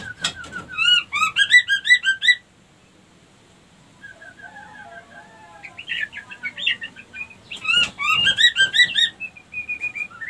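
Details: Female white-rumped shama lure song meant to push other females toward mating; energetic bursts of high whistled and warbled notes, a quiet soft middle section with low whistles, then another lively burst.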